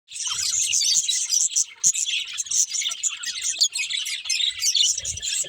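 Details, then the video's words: Budgerigars chirping: a dense, continuous chatter of high, buzzy warbles and rapid tweets from several birds, with low thumps now and then. "Cute Budgies Chirping Sounds"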